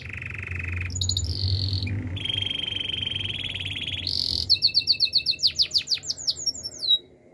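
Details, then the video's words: Canary song in the wild, changing through several sections: a low steady trill, a higher buzz, a long sustained rattling trill, then a rapid cascade of sharp descending and rising whistled notes before stopping. "melodies canary bird sounds in the wild"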